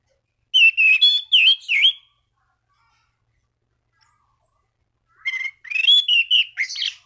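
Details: Energetic Orange-banded thrush song calling out to rivals to set other thrushes singing: two phrases of wavering whistles mixed with buzzy, scratchy elements, separated by about three seconds of quiet.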